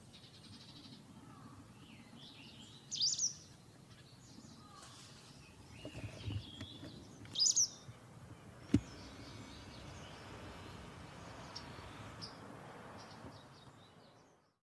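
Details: White wagtail giving sharp, high twittering calls in short bursts over steady outdoor background noise, in a backyard in spring as territorial males clash during nesting season.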